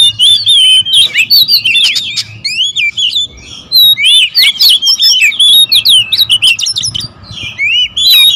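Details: Oriental magpie-robins in a noisy territorial squabble: dense bursts of curling whistles and harsh chips, a quieter pause around three seconds, then continuous overlapping song to the end.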